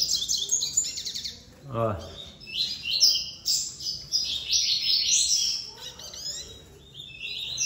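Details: In a breeding aviary holding many females and four males, a male Double-collared Seedeater sings a fast, high, twittering chuva song of bright chirps and short trills, with other seedeaters chirping nearby and a brief lower sound.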